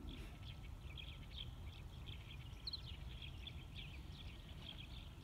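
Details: Sind woodpecker recorded at Minab, Iran, on 15 April 2019: a steady series of short, sharp, high notes repeated rapidly throughout, over a constant low rumbling background noise.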